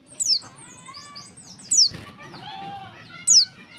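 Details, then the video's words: Female warbling white-eye calling to provoke males into singing: thin, very high notes sweeping steeply downward, repeated about every one and a half seconds, with soft lower warbled tones and faint background noise between them. "suara pleci betina untuk memancing bunyi jantan."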